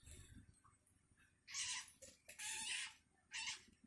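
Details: Hungry long-tailed shrike chick calling for its parent: three harsh, raspy, broadband screeches, each about half a second long, spaced roughly a second apart over quiet background hiss.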